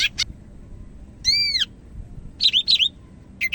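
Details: Medan-type greater green leafbird in strong song: harsh chips, a rich arched whistle with several overtones, then paired twisting buzzy notes and a final sharp chip.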